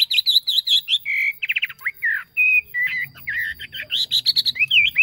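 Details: A singing yellow phua used as a decoy bird: a quick run of looping whistles, a brief trill, then mixed sliding whistles and chirps, lively and continuous, with soft low background sound.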